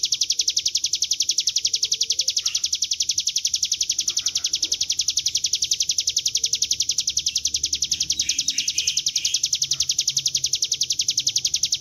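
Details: Bar-winged prinia (ciblek gunung) song used as a lure, in the lively ngebren style: a long, unbroken string of very fast, high, sharp notes, steady in pitch and rhythm, with faint other chirps behind.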